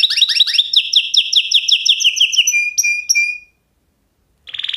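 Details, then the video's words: Canary singing quick rising chips that merge into a descending trill, a few thin flat whistles, a short pause, then a buzzy rapid trill starting again. "Kanarya sesi | Kanarya ötüşü | Canary Sound"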